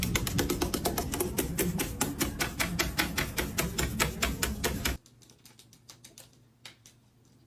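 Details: Rapid, steady clicking like a typewriter for five seconds, then a quieter stretch with a few scattered taps; no animal voice is heard.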